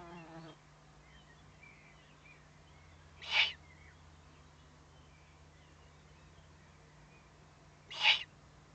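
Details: Warning owlets under threat, 22 May 2015 at 20:42: a pair of strong, airy, noisy hisses roughly five seconds apart, each under half a second, with a low hum throughout.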